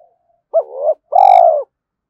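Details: Spotted dove cooing early in the morning to provoke fighting and lure. A rising hooked note, then a long steady falling coo, with a short bright metallic ring over its start.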